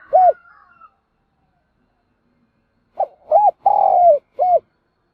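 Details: Spotted dove used as a decoy, calling to attract others: a single low coo, then after a pause a phrase of short hooting notes and one longer drawn-out coo, in a quiet setting.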